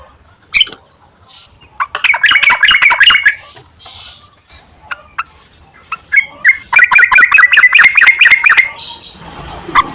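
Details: Lure recording of a sooty-headed bulbul, meant to prompt singing. Scattered notes lead into two fast, chattering runs of bubbly, slurred syllables with quieter pauses between.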